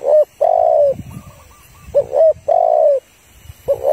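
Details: Female spotted dove urging on a male, used as a trapping lure: loud hollow coos alternating short and long, with repeated stretched slurred notes and rustling low noises in between, plus background hiss.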